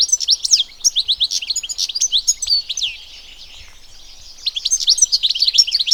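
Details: Goldfinch, also called Taqtaq Shouk, singing in the wild: a flurry of sharp, tinkling chirps and short slurs, then a couple of seconds of near silence before the bright twittering starts again.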